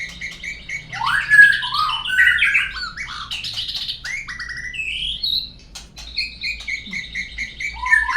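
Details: White-rumped shama singing as a lure to make birds sing: sweeping whistled phrases and buzzy notes, then a run of evenly repeated short whistles, ending with a low slurred note.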